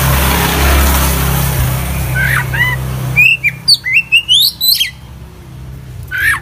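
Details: Oriental magpie-robin (kacer) in vigorous full isian song: a few whistled notes under loud traffic rumble, then a rapid burst of crisp, varied chirps and upslurs, and a final slurred whistle.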